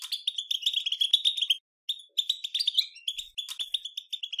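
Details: European goldfinch delivering betbeta-style song meant to prompt other goldfinches to sing; dense, quick jingling twitter with buzzy rolls, two bursts split by a short gap, nothing else audible.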